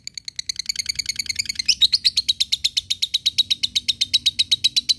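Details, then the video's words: Ngekek song of a lovebird, meant to provoke rivals and train fighter birds. Close, blurred high chatter at first, then a clear, rhythmic, fast chain of piercing chirps that stays even to the end. "SUARA LOVEBIRD NGEKEK MEMANCING LAWAN"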